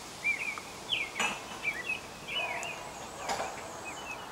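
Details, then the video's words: An American robin sings its "tû-tu tûlulû" song: short, clear, warbled phrases that rise and fall, a few each second, with two sharp clicks and light background noise. "American robin singing. merle d'amérique en train de chanter"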